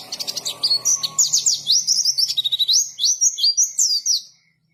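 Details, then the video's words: Rapid gacor song of a white-eye (pleci): dense high twittering and zigzag whistled notes pouring out for about four seconds before stopping abruptly. "KICAUAN BURUNG PLECI GACOR NGALAS"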